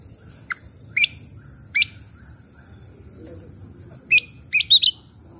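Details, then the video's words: Oriental magpie-robin song played as a lure to prompt stressed, quiet birds to sing: sparse, short, sharp chirped notes, a single note followed by a few spaced pairs and a quick cluster near the end, over a quiet background. "cukup skali pancing kacer macet stres malas bunyi langsung gacor"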